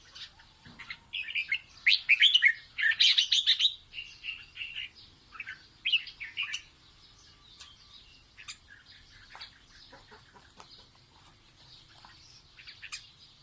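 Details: Red-whiskered bulbul singing playfully to teach its chicks: dense bursts of bright, rapid chirping and warbled notes early on, giving way to scattered short high chirps and softer twitters in quiet background.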